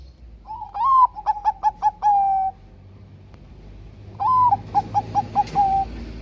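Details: Loud Bangkok zebra dove song meant to wake lazy doves into singing: twice, a rising opening note, a string of five quick staccato pips, then a long level coo, with a low hum behind.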